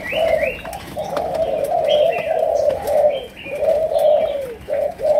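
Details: Malaysian-strain spotted dove giving the lure-style cooing known as chiêu gù, sấm đồng: a steady run of low, hoarse rolling coos in overlapping phrases, with brief higher chirps from other small birds in the background.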